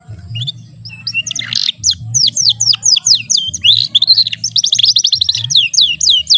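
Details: Young American Fancy canary learning to sing, past its chattering stage and now singing steadily, still with only short rolls; rapid, high twittering song of sweeping whistled notes and brief trills runs continuously over a low steady hum.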